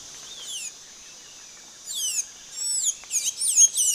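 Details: Blue-gray tanager (Thraupis episcopus) giving scattered, high, squeaky swept notes. Short clusters come after a quiet start, then quicken into a chattering burst at the close.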